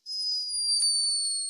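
A sleeping hummingbird's snore, a thin, steady, very high whistle that sinks slightly in pitch.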